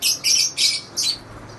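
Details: Lovebird giving four harsh, high, raspy squawks in quick succession, each about a fifth of a second long, followed by softer chatter at the end.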